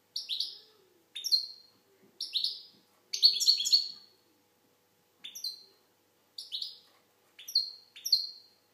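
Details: Algerian goldfinch producing a run of high, sliding chirps and one longer rippling twittered phrase midway, notes spaced about a second apart over a quiet background.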